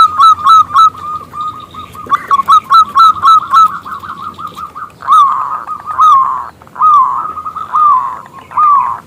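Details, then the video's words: Zebra dove of local stock giving a loud, crystal-clear call meant to prompt a male to answer: a run of quick bubbling coos followed by longer slurred coo notes spaced about a second apart. "PERKUTUT lokal Gacor Suara BESAR Kristal Memanggil JANTAN ngajak BUNYI"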